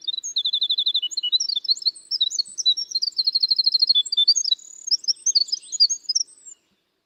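Winter Wren song: a long, high, rapid cascade of tinkling notes and fast trills, tumbling up and down for over six seconds without pause.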